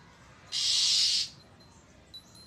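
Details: Threatening call of an oriental magpie-robin on 1 April 2023. One loud, harsh, noisy rasp lasts about three-quarters of a second, followed by near silence and a faint thin whistle.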